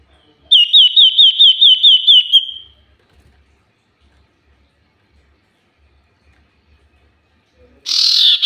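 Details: Common iora used as a lure recording, singing very actively: a quivering, evenly pulsed whistled trill held near one pitch for about two seconds, then silence and a harsh, buzzy burst at the end.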